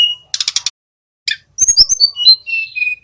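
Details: Young male Little pied flycatcher, caged, practising its trill as a lure for other songbirds: a whistled note, a quick buzzy burst of four pulses, then a tumbling series of high sliding whistles ending in lower level tones.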